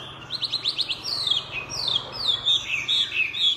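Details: Chinese hwamei opening with a quick series of about six sharp rising notes, then long ringing whistles sliding downward, phrase after phrase, over a faint low hum.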